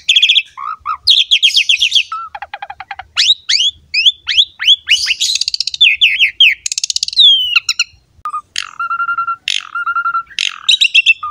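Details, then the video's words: Asian pied starling in full, highly active song, a recording for training other starlings: fast descending chirp series, sweeping slurred whistles, a rasping burst, then repeated flat whistled notes alternating with sharp chips. "MASTERAN BURUNG JALAK SUREN GACOR ISTIMEWA"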